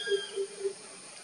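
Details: Greater coucal (crow pheasant), recorded 2 July 2020 at Naravi, Belthengady Taluk, coastal Karnataka, India, gives three deep, hollow hoots about a quarter-second apart over a faint background hiss.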